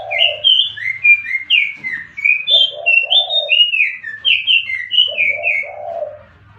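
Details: Lure recording of jongkangan biru singing a steady stream of bright, slurred whistles rising and falling, interleaved with deeper burry phrases, a low background hum underneath.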